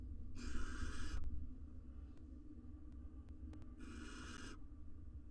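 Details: Wild male and female barn owls courting beside their four nestlings in a camera-monitored research nest box; two harsh, hissing screeches of about a second each, separated by three seconds, over a low steady hum and faint clicks.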